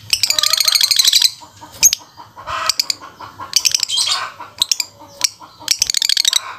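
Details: Aggressive, lively lovebird giving rapid shrill chattering trills in bursts of about a second, mixed with sharp clicks and squeaky notes, with short pauses between bursts.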